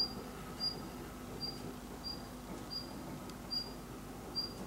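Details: Daurian redstart outside a window in falling snow, giving a thin, high, whistled note repeated about every second, six times in a row, over a soft steady background hum.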